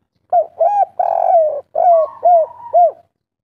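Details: Spotted dove in local kuk 3 style, giving six hollow arched coos in quick succession, the third longest and loudest with a falling tail, the rest short and evenly bowed.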